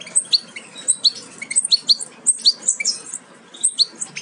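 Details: Young European goldfinches close to fledging, offspring of a Major aminet-carrier crossed with an ancestral Parva, giving sharp, high, rising chirps in quick irregular bursts, several birds calling over one another.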